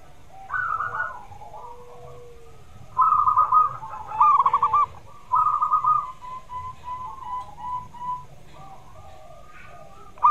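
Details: Lively zebra dove singing as a lure for a dove that seldom sings: a brief trill, then three loud rapid pulsed cooing phrases in a row around the middle, trailing into softer coos.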